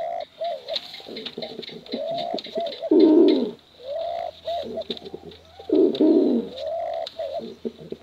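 A pigeon gives low, throaty rolling coos in phrases, with a louder emphatic burst about every three seconds; the sound is close and slightly roomy.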